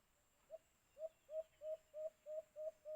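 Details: Alimokun, the white-eared brown dove, near a cage trap: one soft opening hoot, then a pause and seven clear, rounded low coos repeated roughly every third of a second, growing louder.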